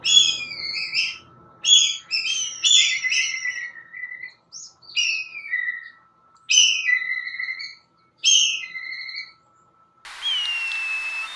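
A Black Kite gives high, quavering whistles that slide downward, repeated in short bursts about every second or two, with a faint steady hum in the background.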